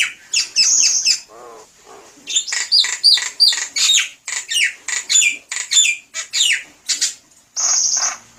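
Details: Javan myna singing, a recording meant for use as a lure: rapid run of harsh, buzzy and squeaky notes mixed with sharp whistles, a brief low warble early on, ending in a long hiss.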